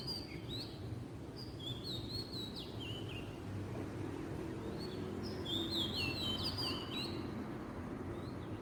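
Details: Oriental magpie-robin in the wild in Southeast Asia, singing varied whistled phrases, bright sliding and warbled notes in short bursts with pauses between, over steady low rumbling background noise.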